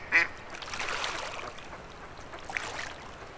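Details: A wild female mallard wintering on an unfrozen pond at Dufferin Islands, Niagara Falls, gives one short, nasal quack, followed by softer raspy murmurs and a faint second note against a quiet background hiss.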